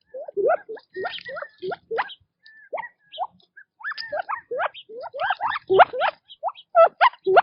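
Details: Quail feeding in natural habitat, calling with bursts of rising harmonic chirps and a few level whistles, quieter in the middle and louder, denser notes toward the end.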